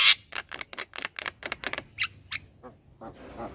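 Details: A young Javan myna gives a series of short, harsh, rasping squawks, about three per second, each one broad and noisy, before they fade to softer grating notes.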